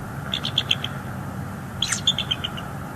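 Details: Bald eagle calling at its nest on a live nest cam in northeast Florida, 13 December 2022, after a male brought in a large fish still alive and gasping. Two bursts of thin, high chittering notes, several quick descending pips each, over low rumble.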